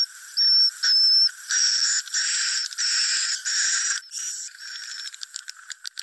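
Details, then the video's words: Swiftlet roosting lure sound: short bursts of dry, buzzy chirping, each burst about half a second long, with bright whistled notes on top. Repeated roughly every second before breaking into scattered ticking clicks. "suara inap burung walet"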